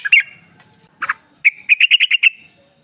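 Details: Female sooty-headed bulbul calling the male, used as a lure: a couple of brisk notes, a short burst, then a quick even run of about eight bright chirps.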